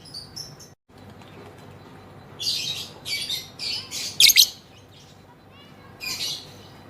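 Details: Female lovebird in long ngekek chattering, opening with faint chirps, then a run of rough, scratchy squawk bursts climbing to two sharp loud peaks, ending with one more raspy phrase after a pause.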